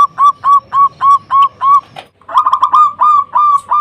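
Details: Loud local zebra dove song used as a rival-provoking lure: evenly spaced cooing notes repeated about four times a second, a brief gap, then a faster burst of rolling coos.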